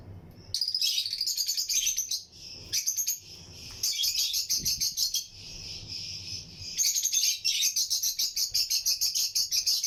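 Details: In a breeding colony aviary, lutino lovebirds, among other birds, keep up dense, buzzy, rapid high chatter. It runs in long stretches broken by short pauses.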